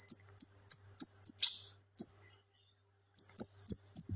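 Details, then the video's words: Male leafbird singing in the lively 'gacor tembakan' style used for training other songbirds: a run of high, thin whistled notes, repeated about three times a second, broken by a buzzy burst, a pause, then more whistles. "BURUNG KINOI/CUCAK KINOI JANTAN GACOR TEMBAKAN COCOK BUAT MASTERAN BURUNG"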